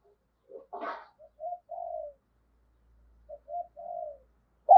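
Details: Decoy spotted dove in a soft, quiet cooing bout used to lure wild birds. A brief rough burst comes first, then short low coos and drawn-out falling notes in two small groups. A sharp loud sound cuts in at the end.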